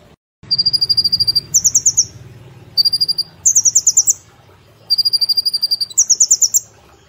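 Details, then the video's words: Brown-throated sunbird, a caged songbird, in vigorous 'nembak' song with platuk and cililin phrases. Paired trills repeat: an even rattling series, then a higher, quicker one, over a soft low background hum. "Kolibri Ninja Gacor Nembak Platuk Cililin Sejalur"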